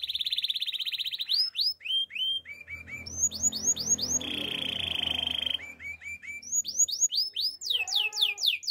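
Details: Male canary song made of looping whistled sweeps that rise and fall in quick series, broken by a sustained buzzy roll, with a soft low rumble in the background during the middle.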